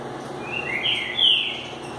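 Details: Green-winged saltator showing a new bird; a single loud whistled phrase of slurred notes near the top of its range, rising then falling, over steady background hiss.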